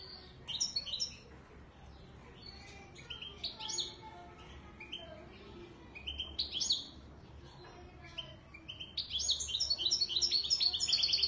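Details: Goldfinch of the Moroccan Widani Marrakchi strain singing a long, varied twittering song of high chips, buzzy notes and slurs, building into a dense, louder rapid trill at the end.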